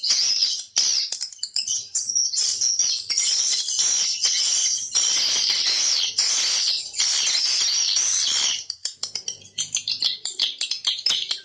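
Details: Swiftlet lure call meant to attract swiftlets into nesting houses: a continuous, crowded stream of high, buzzy twittering chirps for about eight seconds, then breaking into separate quick chirps.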